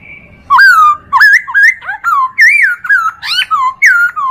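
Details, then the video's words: Chinese hwamei song made as a tutor recording for training other birds: a rapid, loud run of rich, slurred whistles. The notes rise and fall in quick phrases, about two per second, over a quiet background. "MASTERAN POKSAY HONGKONG"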